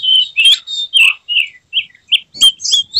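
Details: Emotional white-rumped shama spreading its tail while singing loud, clear whistled phrases, slurred notes falling in pitch, separated by brief gaps, with sharp high chips near the end.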